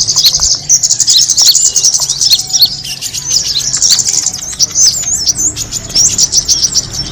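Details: Kemade bird calls used as a lure to attract other birds: dense, continuous high twittering and chirping from many callers, with rapid overlapping squeaky notes throughout and no other clear sounds.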